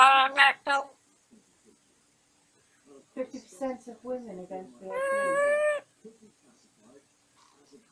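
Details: During his bedtime routine, a caged male African grey parrot babbles. Two loud clipped calls come first, then rapid speech-like chatter and a sustained, nasal, meow-like wail of nearly a second.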